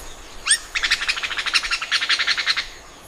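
An Oriental magpie-robin gives one sharply rising whistle, then a quick run of bright, chattering notes lasting about two seconds. Faint background hiss.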